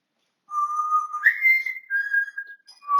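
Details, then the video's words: African grey parrot kept as a pet, whistling a melodic phrase: a steady low tone, an upward slide to a higher held note, then a gently falling sustained note. "My African Grey Parrot Whistling Away"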